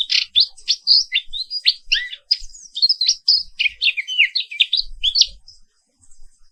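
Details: Rolling morning therapy song of the black-capped white-eye (Papua pleci 'wiklus'): a fast, unbroken stream of high, slurred twitters for about five seconds, then quiet.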